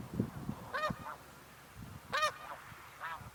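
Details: Flocks of snow geese on spring migration in Canada, 26 April 2015, leaving the water at dawn to feed in fields; three separate loud, barking nasal honks roughly a second apart, with soft low thumps between.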